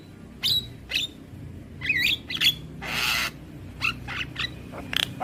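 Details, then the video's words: Young Javan myna used to train young birds utters a few whistled pings, a twisting squeaky phrase and a long harsh hissing squawk, then softer raspy notes. "Masteran Burung JAlak Kebo Muda Agar Cepat GAcor Manggut Manggut Rutin Putarkan Tiap Hari"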